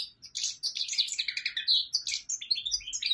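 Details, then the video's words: A goldfinch sings a rapid, tinkling stream of high, bright twitters and short trills, running on without a break; no other sounds stand out. "Super goldfinch singing"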